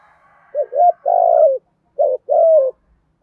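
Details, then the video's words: Spotted dove in the 'giọng thổ' cooing style, used to stir wild doves into answering. A short doubled coo is followed by a longer, slightly falling coo, and the two-part phrase is given twice in quick succession. "cu gáy thúc gù giọng thổ, tiếng chim cu gáy kích bổi nhanh nổi hiệu quả nhất"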